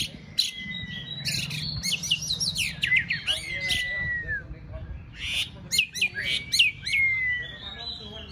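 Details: A contest-trained white-rumped shama sings in bursts. Clustered chirps and rapid notes are followed by long, clear whistles that glide down. There is a brief pause before the next burst, over a faint low hum.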